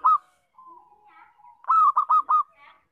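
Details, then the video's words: Zebra dove, local bird with loud song used as a lure in trapping: a sharp opening note, soft low cooing, then a loud run of four quick clipped coos. "Suara Perkutut Lokal Kencang, Bagus Buat Pikat dan Pancingan"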